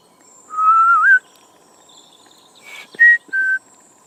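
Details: European robin in a garden on a cold November 2014 morning, a tame young bird: one long pure whistle that climbs and wobbles upward, silence, then two short clear whistled notes, all over a low steady hum.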